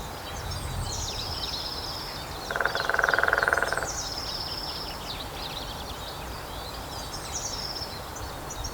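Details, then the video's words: Lesser Spotted Woodpecker drumming on the trunk of a dead tree at Grathem, Netherlands, 23 March 2026 at 14:00. One rapid, even roll of knocks lasts about 1.4 seconds. High, thin bird calls and steady outdoor noise surround it. "Lesser Spotted Woodpecker drumming on Wood"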